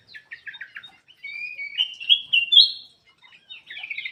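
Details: Black-crested bulbul kept in an aviary, opening with a string of quick clipped chirps, then sliding into bright rising whistled notes before ending in a few scratchy chirps, heard clearly against silence.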